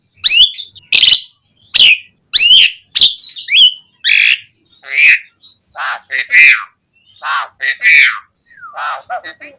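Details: Asian pied starling singing lively fill-rich song, played as a lure for captive starlings. Sharp rising and falling whistles come first, then lower nasal and scratchy notes in uneven bursts.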